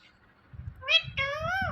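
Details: Talking parrot calling out "Mithu": two voiced syllables, a short bright note followed by a longer wavering harmonic tone that dips at the end, with soft low thumps in the room.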